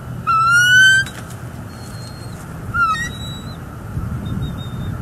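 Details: Wild bald eagle pair at a northeast Florida nest on a live nest camera, January 18, 2022, the male incubating while the female eats the furry prey he brought; a loud, thin, whistled call with stacked harmonics rises, followed by shorter squeals and a faint low hum.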